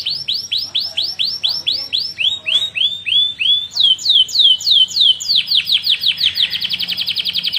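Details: Canary song meant as a tutor for other canaries: sweeping down-slurred notes repeated about three per second, a brief pause, more slurred sweeps, then a quicker buzzy trill at the end.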